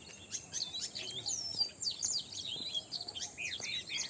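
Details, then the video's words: Birds chirping in the early morning: dense, overlapping high twittering chirps and short sweeping notes from several birds, continuous throughout, over a steady faint background hiss. "Sweet Bird Chirping in Early Morning पक्ष्यांचा गोड आवाज"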